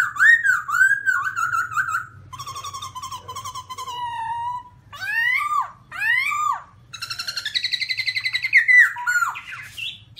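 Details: In 2016, a black-throated laughingthrush on mountain rocks sings loud, clear whistled phrases: wavering notes, rapid trills, and steep rising-falling slurs in varied bursts, with a faint low hum behind.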